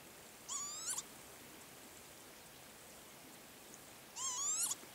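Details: Northern lapwing male calling at the Azot bio-ponds, Berezhany village: a pair of half-second rising, buzzy whistled calls with strong harmonics, roughly four seconds apart, against constant soft hiss.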